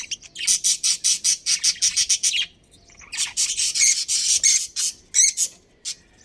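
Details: A budgerigar breeding pair in a colony gives a steady series of about a dozen evenly spaced, buzzy high chirps. After a pause comes longer warbling chatter and a few sharp squeaks.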